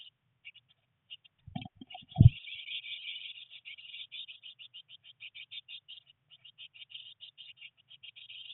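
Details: Three Eurasian blue tit nestlings on day 19 in their nest box, during rain and early flight attempts, start with sparse chirps, then after a loud thump break into a continuous rapid high chatter.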